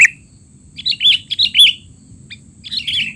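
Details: Sooty-headed bulbul giving noisy, chattering calls used as a tutor recording for young bulbuls: a brief high note, then a burst of quick warbled chirps with sliding whistled notes, and a final cluster of chirps after a pause.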